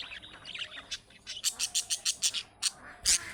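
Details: Budgerigar calls described as young birds' calling notes that make other budgerigars reply: soft warbling at first, then a steady run of sharp, loud chirps about every fifth of a second, ending in one harsh squawk.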